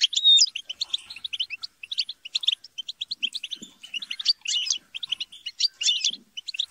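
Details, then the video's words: Several European goldfinches chatter and squabble together: a quick whistled slur opens, followed by steady bursts of tinkling high chirps and brief scratchy trills, delivered in rapid overlapping phrases. "بتبتة وتستسة وشجار الحسون - اقوى بتبتة جماعية لتحفيز الحسون على التغريد"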